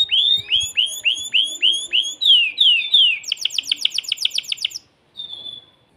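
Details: Excited caged male canary sings to stimulate a female for mating: a string of swooping downward whistles, then a rapid high trill of about a dozen repeated notes, ending with a short pure sustained tone.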